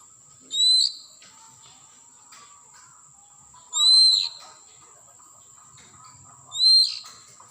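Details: Wild Oriental magpie-robin from the forest giving a loud, clear whistled note that slides down and then flattens out. The note comes three times, roughly every three seconds, with quiet gaps between, over a steady high electronic tone.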